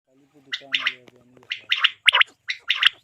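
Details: Quail call used at night to lure quail for hunting: short harsh gargling bursts in pairs and triples, with a faint low humming voice-like sound at the start.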